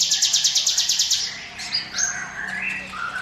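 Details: Ciblek gunung prinia "ngiwit wit" song, intended as a lure: a rapid, even, high buzzy trill of about a dozen pulses, followed by scattered rising whistles and thin high notes.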